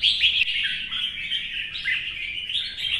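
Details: Red-whiskered bulbul, a caged wild-caught adult, in competition singing in morning sun: dense, unbroken run of chirpy whistled notes, fast and jumbled, with a few sharper accents.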